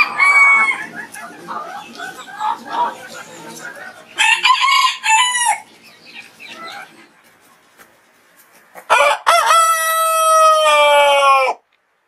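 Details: Rooster crowing in the morning: a quiet background of clucks and chirps, a distant harsh crow, then a loud close crow with a long clear ringing final note of about two seconds.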